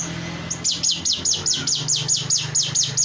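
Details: Rio-rio myna (jalak rio-rio), sung as training material for other songbirds, gives a fast series of about twelve high downslurred whistles, roughly four a second, over a steady low mechanical hum.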